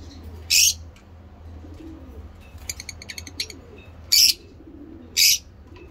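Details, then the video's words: Lovebirds in a breeding setup give loud, piercing single shrieks about once a second or more, with a soft flutter of faint ticking notes between them. "Lovebirds singing lovebird talking"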